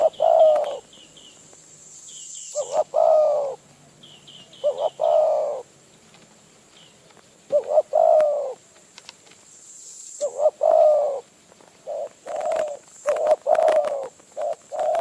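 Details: Wild spotted dove in Phrae, Thailand, coming to a decoy. It calls repeatedly in throaty phrases of two or three short notes ending in a longer coo, about every two seconds. Brief high chirping bursts come from another bird, along with scattered clicks.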